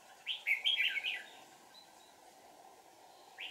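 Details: Red-whiskered bulbul, a decoy bird used to trap wild birds in deep forest, gives a brief burst of warbled, chattering notes, then a lone note at the end, over steady insect-like hiss.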